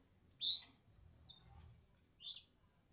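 Sooty-headed bulbul giving a loud, sharp high chirp, then two thinner, quieter notes over about two seconds, with a faint low rumble underneath.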